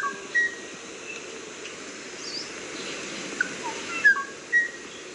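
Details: Kauai ʻōʻō with brief, pure whistled notes, a single one early and a quick group of rising and falling whistles near the end, over a hissing background.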